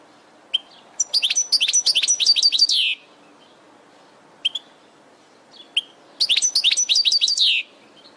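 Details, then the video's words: European goldfinch song from a training recording for caged birds: bursts of bright, tinkling, rapid twittered notes lasting about two seconds, set apart by short pauses with single sharp chips between phrases. "Goldfinch From Training Video"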